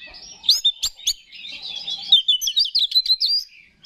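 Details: Oriental magpie-robin singing to stir rival males: a short jumble of sweet whistles, sharp clicks and fast warbled notes, ending in a bright trilled run.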